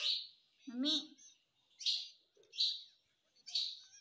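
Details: Pet parrot said to talk, saying "mummy" and "papa": sharp high chirps repeat about every second, with one lower, voiced, word-like utterance near the start, in a quiet indoor setting.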